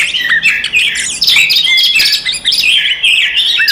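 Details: Oriental magpie-robin in provoking fighting song directed at other magpie-robins: crowded burst of high chirps, twittering and short whistles overlapping in a rapid, slightly harsh jumble.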